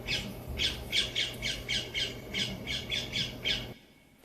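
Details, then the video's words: A parakeet in Wollaton Park, Nottingham, gives a rapid series of about a dozen harsh, screechy squawks, roughly three per second, then stops abruptly; faint room hum underneath. "So that's the noise you're listening out for if you want to find parakeets in the park."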